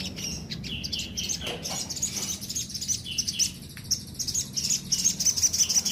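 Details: Sooty-headed bulbul singing vigorously, a rapid stream of high chirps and short whistled notes repeated about three times a second, with a steady low hum underneath.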